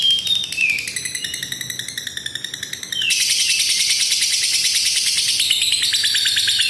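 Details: Lovebird's long ngekek trill, a training master for young birds: begins with a dipping whistle and quick ticking chatter, then bursts after three seconds into a dense, harsh, very high continuous rattle.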